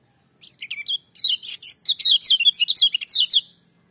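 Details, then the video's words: A lemon-bellied white-eye sings a loud, rapid, jumbled run of high, sweet chirps and warbled twitters lasting about three seconds, with no other sounds. "Kecial Kuning joss gacor menggelegar tapi merdu"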